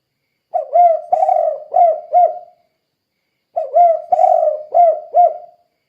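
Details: Spotted dove lure call, 'kuk 2' style, for derkuku: two loud, clear soft-cooing phrases three seconds apart, each a short coo, a long rolling coo and two brisk closing notes.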